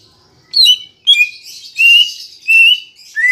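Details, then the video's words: Green leafbird (cucak ijo) giving loud, clear whistled phrases, each a sliding note with a bright overtone, repeated about every half second to second, with no other sounds; played as a lure to get caged leafbirds singing. "Pancingan Cucak Ijo Biar Bunyi dan Cepat Gacor"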